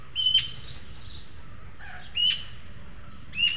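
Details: Juvenile Eurasian magpies, three together at a feeder in El Retiro, Madrid, recorded by a webcam as two beg for food from the third. Three grating, buzzy squawks spaced about a second apart, with soft chatter between.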